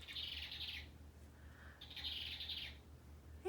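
A hummingbird gives two rapid bursts of high, thin twittering, each lasting under a second, over a low steady hum.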